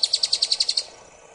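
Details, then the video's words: Rusty-backed antwren (Drymophila malura) recorded at Ferradura, Canela, Rio Grande do Sul, Brazil, on 4 October 2016: a quick run of nine high, clipped notes, about ten per second, stopping abruptly, then faint background hiss. "Drymophila malura"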